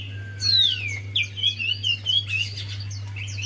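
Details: A Javan white-eye sings to prompt another quiet bird: a downward-sliding high whistle followed by rapid twittered phrases of short bright notes, all above a continuous low hum.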